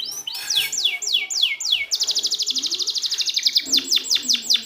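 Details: Canary singing as a tutor recording for silent birds: downward-sweeping whistled notes, then a long rapid high trill, ending in repeated falling slurs.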